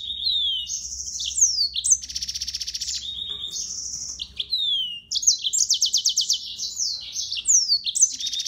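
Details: Yellow-fronted canary (Serinus mozambicus) in a long varied song: whistled notes, dense buzzy trills and quick repeated chips, with a brief break midway before the trilling resumes.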